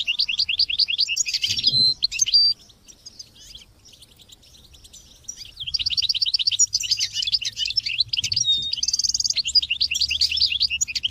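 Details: European goldfinch singing among chicks' chirps: rapid high chattering trills, a quieter pause, then lively twittering and buzzy trilled phrases.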